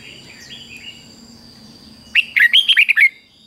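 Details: Doubled 'beun' style song of a caged Red-whiskered bulbul, phrased fik-jik-fok, used to teach young birds. After a quiet stretch with faint distant chirps comes one fast run of seven bubbly, warbled whistles, with a thin constant tone behind.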